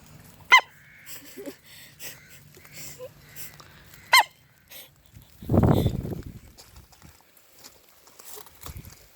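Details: Rooster with the hiccups: two sharp, abrupt hic sounds several seconds apart, each a very short bright burst, with a noisy low rumbling burst between them and light background noise.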